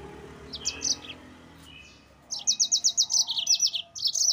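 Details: Yellow-fronted canary delivering its 'ngerol' rolling song to excite rival birds: a few high notes and a soft whistle, then a fast, evenly pulsed run of bright trilled syllables, about four per second.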